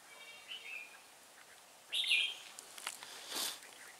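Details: Hòa Bình decoy red-whiskered bulbul singing 'ché' style at a trap, 18 December 2016: a faint thin whistle, then one loud rich warbled phrase, followed by clattering and rustling noises.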